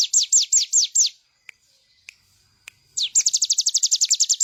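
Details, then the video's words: Bar-winged prinia song: five bright falling notes, then a near-silent pause with a few faint clicks. The bird resumes with a rapid burst of short, high, downward-sweeping notes. It is presented as master material for cage birds. "Ciblek gunung gacor full bren..cocok buat masteran burung bahan agar ikut bunyi"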